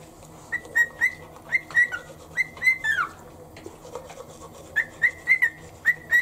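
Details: Pet cockatiel on a shoulder whistling a morning song in time with toothbrushing: quick runs of short clear whistles at one steady pitch, with a downward slur in the middle, a pause, then more whistles.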